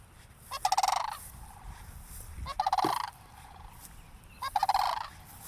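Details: Two cranes near a church give three short bursts of low, rolling, rattled calls about two seconds apart as a person approaches, which the recordist wonders may mean alarm, with faint background noise between them.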